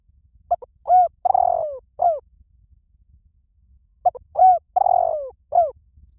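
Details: Spotted dove calling: a hollow, low coo phrase of short notes built around one longer slurred note, given twice about four seconds apart, with faint low rumble beneath.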